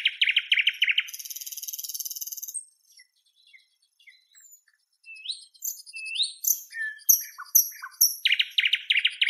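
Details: Northern European nightingale singing: rapid repeated chirps running into a long dry buzzing rattle, a quiet pause with soft notes, then rising whistles, high squeaks and a fast chirping series.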